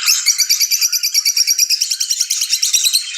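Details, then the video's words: Lovebirds chirping with excitement for mating: steady, fast pulses of shrill, scratchy notes, roughly three each second, unbroken throughout. "أحسن صوت تغريد هائج لتزاوج طيور الحب"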